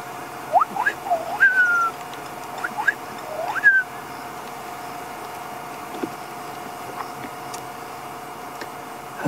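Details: Fiery-necked nightjar in the dark at sunset on a safari drive at Djuma, with elephants nearby, giving clear liquid whistles: short upslurred notes then longer falling, slightly quavering notes, over a steady vehicle engine hum.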